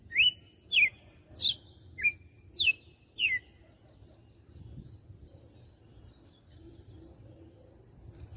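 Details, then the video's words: Six loud whistled notes of a red-cowled cardinal's açoite song, Fortaleza, Ceará, the phrase described as six perfect notes, alternating rising and falling slurs, followed by several seconds of near quiet with faint background hum. "Galo de campina - CANTO DE AÇOITE"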